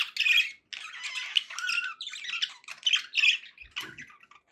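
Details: Pet budgerigars kept indoors, chattering in a dense warble of squawky, buzzy notes with short chirps and a few clearer whistles, broken by brief pauses.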